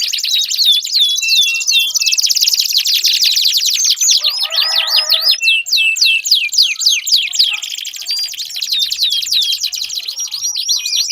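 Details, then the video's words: Canary singing to stimulate a quiet canary into song; a long, continuous high warble of rapid trills and downward-sweeping notes, with a brief lower buzzy burst midway and several birds seemingly overlapping. "Pancingan Ampuh Kenari Gacor Panjang, 4 Suara Burung Kenari Ampuh Untuk Pancingan Kenari Macet Bunyi"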